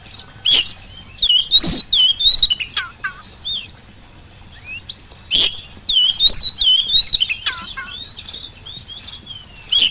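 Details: Oriental magpie-robin singing loudly as a lure for silent birds at home or in the field: varied whistled phrases, sharp chips and lower falling notes, with a quiet stretch in the middle.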